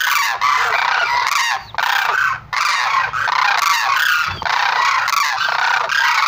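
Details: Sarus crane calls: loud, grating trumpeted notes from several birds, run together in long bursts with two brief pauses.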